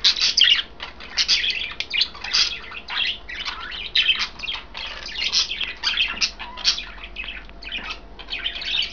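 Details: Three pet budgerigars, green, blue and white, chirping during a kale meal; long run of scratchy warbles and sharp chirps in pulsing bursts, a few nibbling clicks between calls.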